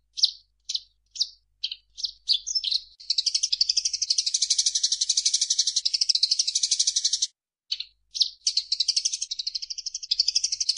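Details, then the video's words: Eurasian tree sparrow as a singing model for cage birds: spaced single high chirps build into a sustained fast buzzing rattle over four seconds. After a pause come more chirps and a renewed rattling trill. "SUARA BURUNG - Masteran Terbaik Gereja"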